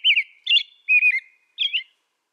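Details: American robin singing: four short whistled carolling phrases, each a quick rising-falling warble, sung in a loose series over about two seconds against a silent background.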